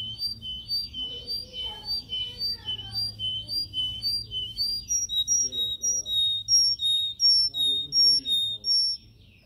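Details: Yellow canary singing in a cage for training: a steady series of paired chirped notes repeated about once a second, shifting to higher clear whistles midway.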